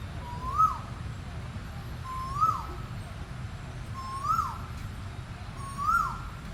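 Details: Asian koel, known locally as burung tuwu, calling four times in a row: clear rising whistled notes that climb and briefly peak, repeated roughly every two seconds over low background hum.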